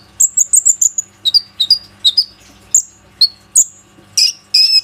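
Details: Plain-throated sunbird (konin) lure recording from an Oppo A37f phone, aimed at getting other sunbirds to sing: quick high whistled notes, then paired down-slurred chirps spaced irregularly.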